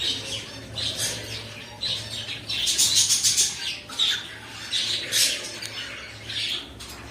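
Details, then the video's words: Pet cockatiels trade loud, rasping squawks in irregular bursts, several crowding together midway, with a faint low hum behind. "My Cockatiel Birds"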